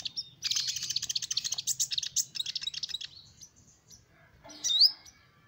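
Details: Sunbird (kolibri ninja) song meant to draw in small birds: a steady three-second stretch of fast, buzzy high chattering trills, a quiet pause, then a single loud sharp rising squeak.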